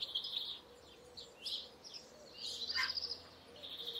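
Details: Singing European goldfinch delivering fast, jangling high phrases mixed with buzzy trills and a sharp descending note, the twittering continuing almost without pause.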